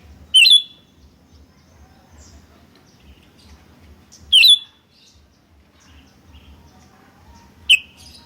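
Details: Sooty-headed bulbul (kutilang) in an energetic lure recording of answering birds: three isolated sharp whistled chips spaced several seconds apart over a soft, low background hum.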